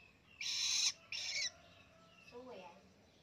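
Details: Young long-tailed shrike, now independent and kept by a keeper, learning to sing: two loud, harsh, rasping bursts about half a second long, followed by a faint lower squeaky note, over a quiet background hum.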